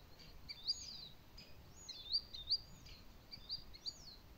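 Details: Western marsh harrier (Circus aeruginosus) in Latvia, breeding species of reedbeds, gives thin, high whistled notes, some slurred downward, in loose bursts every half second or so over soft background hiss.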